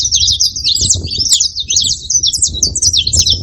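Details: Massed saffron finches produce a steady stream of quick, high, scratchy chirps, many birds overlapping, with a low murmur of background noise.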